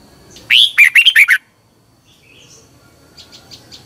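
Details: Red-whiskered bulbul from Thailand, song played each morning to train birds. A loud, bubbly burst of five quick warbled notes opens the clip, then quiet, with faint distant chirps near the end.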